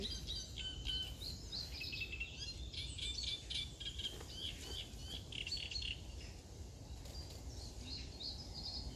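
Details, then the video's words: A Great Reed Warbler sings at Wintersett Reservoir, West Yorkshire, on 11 June 2019, a harsh, chattering song of grating notes in quick runs over a steady low rumble of wind; phonescoped. "Singing Great Reed Warbler"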